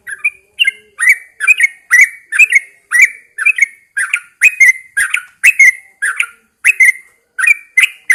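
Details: Caged Yellow-vented Bulbul hung outside early in the morning, delivering a steady run of cheerful, bubbly slurred whistles in short bursts, roughly two notes per second, with no other sounds.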